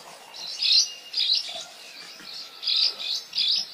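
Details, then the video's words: A wild bird sings bright, high chirping bursts in about six short phrases over four seconds, with a faint hiss of background behind. "merdunya kicauan burung di alam liar"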